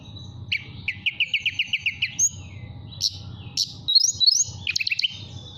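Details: Mountain tailorbird, a caged bird in Purworejo, Central Java, whistling to call a female: a rapid run of about ten evenly spaced, high, buzzy notes, then separate bright whistles and a short fast trill, over a faint low hum.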